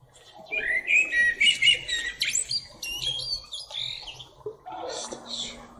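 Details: Common blackbird singing: warbled whistled phrases, then high twittering notes, several bursts in quick succession with a fainter lower sound toward the end.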